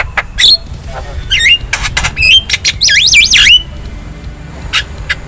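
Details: Song of a wild black-winged starling meant to coax caged birds into singing: sharp clicks, upward-sweeping whistles and a run of wavering looped notes, then quieter scattered squawks.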